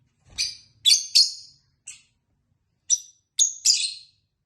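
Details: Tame pet lovebirds at home, heard with a companion: shrill, harsh chirps, single or paired, given in quick irregular bursts with short pauses between, with a faint low thump near the start.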